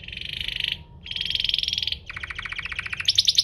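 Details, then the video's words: Domestic canary song played to provoke rival canaries into singing: two dense buzzy rolled trills, then a lower pulsed rattle rising into a high chattering trill. "Pancingan kenari biar gacor"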